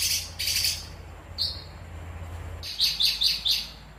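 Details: Long-tailed shrike song in short phrases: buzzy high bursts, a brief whistled note, then four quick sharp chirps in a row, with a low hum early on.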